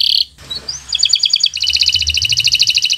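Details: Green local canary song for tutoring young birds: a short buzzy burst, a rising whistle, then a fast steady trill of high bright notes.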